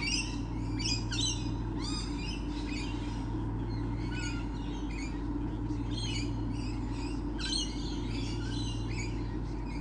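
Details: Lorikeets present in large numbers on 28 November 2013: clusters of shrill, grating screeches and short squeaky notes tumble over one another, with a steady low droning hum underneath.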